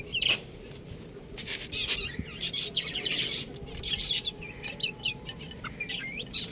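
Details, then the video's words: Buff chicks cheeping in a group, bright short high peeps scattered throughout with sharp clicks and knocks, over a steady low hum. "Adorable Chicks Sound | Beautiful Chicks Chirping Sound"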